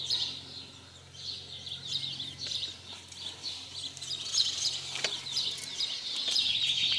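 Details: House sparrows in 2020, busy with repeated mating, chirp quickly and sharply in rising and falling bouts, with a few clicks mixed in.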